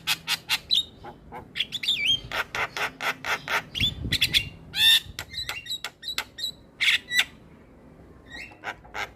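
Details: Lure song for any starling, intended to get quiet birds singing: rhythmic volley of loud clicks with scattered whistled squeaks and one coarse buzzy note, thinning out toward the end.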